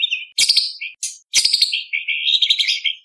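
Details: White-rumped shama (murai batu) in energetic contest song: mid-high warbled whistles broken by sharp clicking bursts, ending in a rapid fluttering run of notes.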